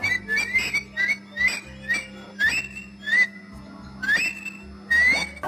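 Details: Eurasian Thick-knee call played from a push-button sound display in a Gir forest museum, Gujarat, a species seen there that morning: clear, rising whistled notes, roughly one or two a second, over a steady low electrical hum.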